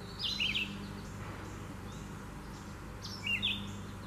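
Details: A Red-eyed Vireo singing in the trees gives two short, slurred, high phrases about three seconds apart, over a steady low hum and faint distant chirps.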